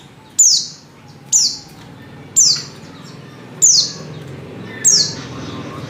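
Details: Oriental white-eye female giving a lure call meant to make males sing: five sharp, high falling notes spaced about a second apart, with a low hum underneath.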